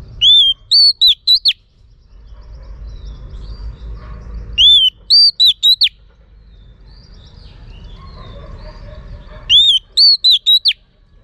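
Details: Female Oriental magpie-robin calling to stimulate males: a loud, clear whistled phrase of one long arched note followed by four short swooping whistles, given three times about every four and a half seconds over a low background rumble.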